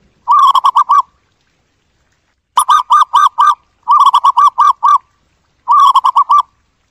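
A zebra dove gives four bursts of soft, rapid, staccato cooing notes, each burst about a second long, repeated every one to two seconds with no other sounds.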